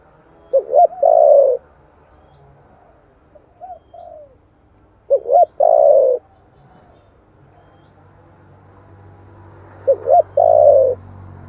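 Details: Lure recording of a spotted dove's giọng thổ song. The bird repeats a three-part phrase, two clipped hoots then a sustained coo, three times at uneven gaps, with a few soft notes between. A low hum runs underneath.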